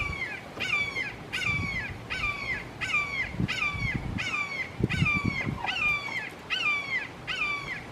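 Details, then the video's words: In a Florida backyard, three Red-shouldered Hawks keep up long, loud calling: a steady series of about eleven shrill, falling screams, each roughly half a second long, with scattered low knocks beneath. "Amazing Sounds of Red Shouldered Hawks Calling"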